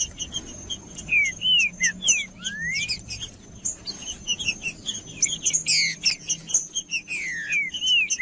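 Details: Male green-winged saltator's 'macheando' song, played to stimulate other saltators: a string of arched and sweeping whistles, a rising glide near the start, then crowded buzzy chip clusters. A constant thin high-pitched tone sits underneath.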